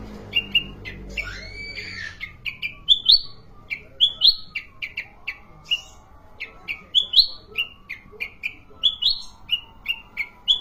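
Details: Sooty-headed bulbul, kept as a caged songbird, giving short sharp chirped notes near one pitch, repeated roughly every half second, with occasional higher upslurred whistles; a faint low drone underneath.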